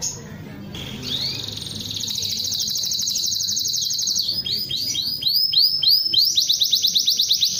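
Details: Canary singing vigorously, described as gacor: a fast, high, buzzy trill held steady for several seconds, then a run of loud, sharply arching whistled notes repeated about three times a second, with a faint low background hum.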